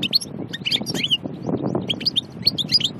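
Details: Goldfinch of the Annaba type from Aïn Barbar, Algeria, singing scattered high chirps and rising, slurred whistled notes over a noticeable low rumbling background noise.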